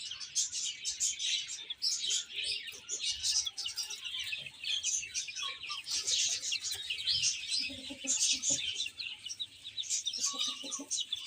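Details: Chicks eating and playing, filling the air with a steady stream of sharp high peeps from many birds at once, with occasional soft lower notes and light tapping.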